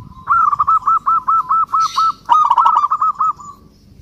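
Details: Local zebra dove calling a rival: a brief soft trill, then a long steady run of pulsed cooing notes around one pitch, close to a dozen in a row, with a short broken burst near the middle and faint background hum.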